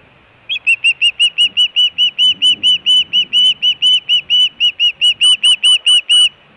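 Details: Osprey at a nest camera in Hellgate, Montana, in June 2017, giving food calling and alert calling at the nest: about twenty rapid, sharp high chirps in a steady series, the last few slurring downward.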